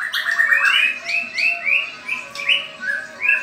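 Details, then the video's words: White-rumped shama, a caged contest bird tested against another, giving a series of short upslurred whistles, several in quick succession, over a faint steady tone. "Tes Mental Murai Batu Ring VS MH"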